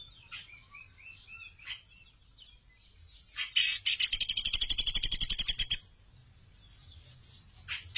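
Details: Sunda pygmy woodpecker, lively and clear, from a master track for training songbirds; thin high notes lead into a strong, rapid rattling trill of over two seconds, then more soft high chips.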